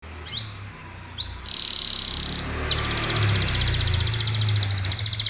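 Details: Canary singing as a tutor recording for training contest songbirds: a few sharp rising chirps, then from the middle a fast, even trill held high, over a steady low hum.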